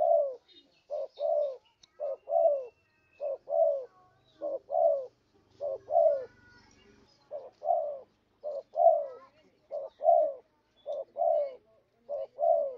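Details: Cooing of a spotted dove played as a trapping lure, with clipped short-long note pairs repeating at a regular pace and a faint low hum partway through.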